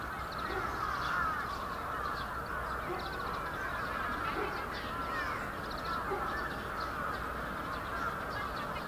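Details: A large brambling flock at Yoyogi Park, Japan, in winter, February 2019: an even, bustling chorus of high calls without pause, dotted with a few short lower notes.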